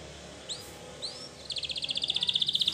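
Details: Belgian canary, somewhat distant: two separate rising slurred notes, then a fast, evenly pulsed high trill that builds in loudness.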